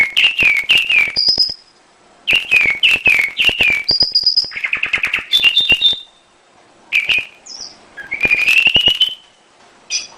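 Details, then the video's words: Canary lure song meant to set other canaries singing: varied phrases of chirps, rolling trills and high whistles in bursts with short pauses, with sharp clicks throughout. "Pancingan burung kenari super ampuh"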